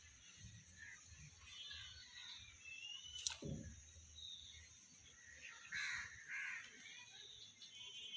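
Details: A common hill myna, a talking bird, relaxing in a garden gives a few harsh, croaking calls and a brief thin whistle, with a sharp knock midway and light background noise.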